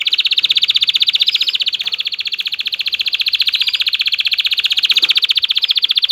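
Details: Excited male canary singing to push a female toward mating: one unbroken, rapid, high rolling trill with steady pulses lasting six seconds, loud and clear against a quiet room.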